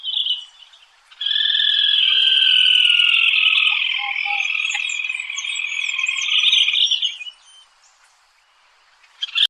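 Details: A small unbarred rufous crake of freshwater ponds with wet grass, endemic to northern Venezuela, gives its long, loud, rapid trill lasting about six seconds, high-pitched and descending slightly, with brief quiet before and after.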